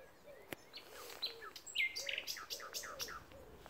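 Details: Common nightingale singing at the Pulborough Brooks RSPB reserve: a quick, varied run of sharp dry clicks, short whistled notes and rich chirps, with soft, low, drawn-out notes faintly underneath against a quiet background.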